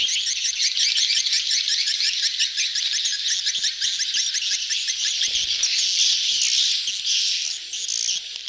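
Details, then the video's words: Swiftlet crowd sound for mating and flock gathering, known as betompok; a continuous shrill twittering mass of rapid chirps and buzzy rattles, swelling into a denser chatter about midway. "suara tarik walet ramai,kerumunan kawin / birahi "BETOMPOK""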